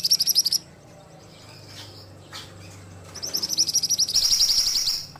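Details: Ashy tailorbird song for training: a short, sharp pulsed burst opens, a quiet pause with low hum follows, then a long rapid trill builds into a dense, very high buzzing phrase.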